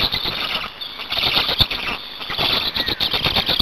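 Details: Hungarian black storks during a nest change-over and feeding on 8 May 2019: short stretch of strained, high squeals rising and falling, with a quieter gap near the start and sharp clicks.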